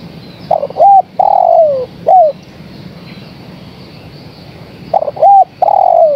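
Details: Female spotted dove calling the male. Two low cooing phrases about four seconds apart. Each has quick stuttered notes, an arched coo, a long sliding descending coo and a short falling final note, with quiet background.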